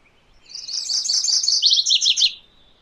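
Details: MacGillivray's warbler singing one phrase: a rolling run of bright, buzzy high notes that ends in a few slightly lower, separate slurred notes, lasting about two seconds over a quiet background.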